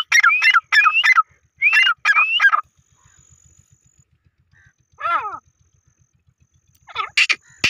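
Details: A francolin call used for hunting gives loud, harsh, ringing notes in quick rising three-note phrases, several in a row, then shorter bursts after a pause, over a faint low rumble.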